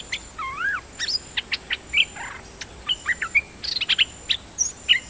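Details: Decoy dok taeng bird, called a champion warrior, used for lure calling and repeatedly doubling its phrases. It gives a lively run of varied whistled notes, rising-falling slurs and sharp chirps, in quick irregular bursts about a second apart.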